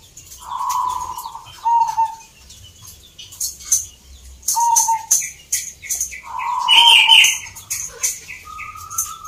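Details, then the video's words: Perkutut, or zebra dove, competing in a local song contest in Salatiga, Central Java: several short trilled coos, one longer rolling phrase, sharp high chirps from other birds, and steady ticking noise throughout. "Perkutut gacor door"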